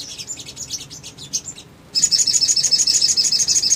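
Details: Little spiderhunter lure song meant to draw a fast reply from other birds. Irregular high squeaky twitters give way, after a short gap, to a rapid, steady run of sharp high 'cit' notes, about three per second.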